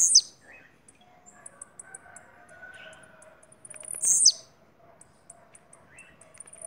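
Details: A captive blue-black grassquit from Bahia delivers short, intense, high-pitched buzzy notes, one at the start and another about four seconds later, over faint lower chirping and a soft steady tone.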